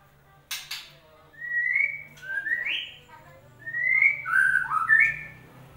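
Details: Song of the White-rumped shama used as a lure to restart a bird that stopped singing: clear whistled phrases, rising and upslurred, in two groups separated by short pauses, after a couple of soft knocks.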